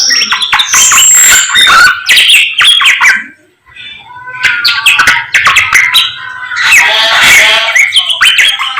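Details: Morning song of a samyong bird: bursts of mixed whistles, clicks and squawky chatter, a short silent break midway, then another loud, rich outburst.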